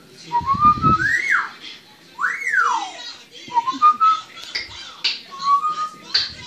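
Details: Captive African grey parrot making relaxed sounds: smooth whistled notes that rise and fall in arching sweeps, with level whistled tones between them and a few soft clicks, in a small indoor room.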